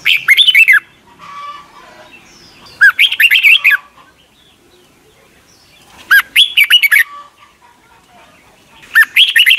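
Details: Thailand caged Red-whiskered Bulbul, song for teaching young birds: four bubbly, rollicking phrases of dipping and rising whistled notes, spaced about three seconds apart, with soft background chatter in the gaps.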